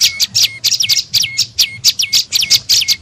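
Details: Lure call of the tailorbird, meant to draw other birds in: bright, sharp high-pitched chirps in quick bursts, some sliding down into a brief lower whistle, about four notes a second.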